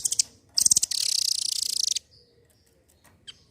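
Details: Velvet-fronted nuthatch, called rambatan doraemon locally, kept caged and used to coax silent birds into singing: a brief high chip, then a sharp burst leading into a fast, dry, rattling trill lasting about a second.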